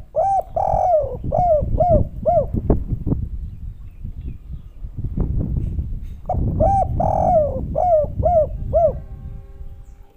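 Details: Spotted dove, called derkuku or tekukur: two phrases of soft rounded coos, each of about six notes, separated by several seconds of clattering, knocking background noise.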